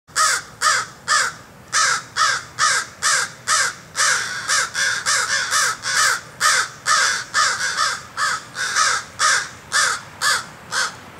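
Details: Adult crow with a lame right foot in North Dakota, protesting a person's closeness to its fledgling: loud harsh caws in a rapid steady series, roughly two per second, each hoarse and slightly descending.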